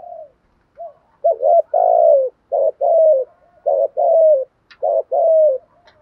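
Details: Spotted dove, a decoy bird, cooing in the thúc gù style: low, husky two-part coos, a short rising note then a longer falling one, repeated in quick succession with brief gaps, on a quiet background.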